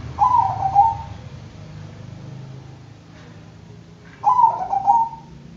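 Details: Bangkok-type zebra dove, two trilled cooing phrases, each opening with rapid stuttered notes and ending in a long even coo that fades, with a low rumbling background between them.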